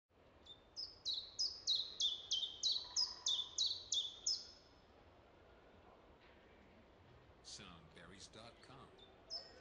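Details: A common chiffchaff singing in a city park repeats about ten high, even chiff-chaff notes at roughly three per second, then falls silent while another bird chatters briefly.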